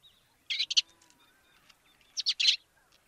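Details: Two tight groups of loud, harsh chirps from a sparrow in Africa, three notes in each, about one and a half seconds apart, with faint thin tones in the quiet between.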